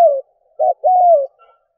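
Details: Spotted dove decoy calling to attract wild doves: the end of one coo, then a single phrase of a short note followed by a long, smooth coo that sinks in pitch.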